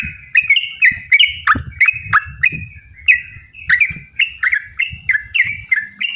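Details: Sooty-headed bulbul giving a long rapid 'ropel' song, used as a lure to make other bulbuls sing: quick descending chirps repeated in a steady stream, with faint low rumbling underneath.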